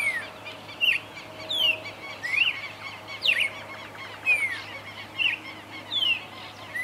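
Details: Red-crested cardinal feeding in Esperanza, Santa Fe, Argentina, in 2022; sharp slurred notes, some rising and some falling, repeated roughly once a second over a steady low hum.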